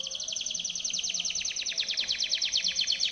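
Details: High rolling trill from a Timbrado canary, sung as a training song for other canaries, with evenly pulsed notes repeated rapidly and a steady loudness throughout.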